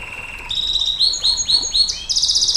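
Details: Canary song in the long nembak panjang style, meant for tutoring and stimulating canaries: a steady whistled tone, then a series of bright rising notes stepping upward, ending in a fast, high, buzzy trill.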